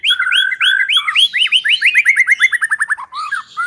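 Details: Lure song of a white-rumped shama, meant to make a quiet bird sing: loud whistled notes slurring upward, then a fast accelerating series of short sweeping notes, ending in two lower warbled phrases.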